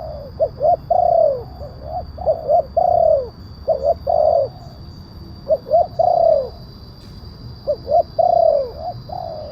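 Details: Spotted dove calling on a lure recording for attracting wild doves: repeated phrases of two or three brief rising coos ending in a longer slurred, falling coo, about five phrases with short pauses, steady electronic whine behind.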